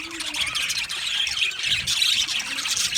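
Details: High, fizzy chatter from a colony of male budgies kept in an aviary, recorded 8 December 2025; many overlapping chirps and warbles form a steady wall of sound.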